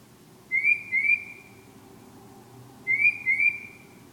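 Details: Two pairs of bright rising whistled notes about two and a half seconds apart, sung at night by a bird described as singing love songs, with low background hiss.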